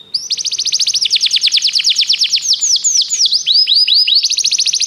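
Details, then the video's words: Canary singing on a training recording: long runs of rapid, repeated descending whistled notes, later slower looping swoops, then a fast trill, clean and loud with no other sounds. "O melhor canário canário para treinar seu canário"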